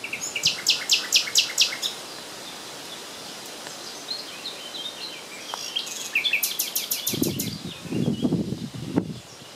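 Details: Common nightingale singing on 30 April 2020, one of three birds heard at the spot: bursts of rapid high repeated notes in trills, a pause, then more fast rattling phrases, with low rumbling noise near the end.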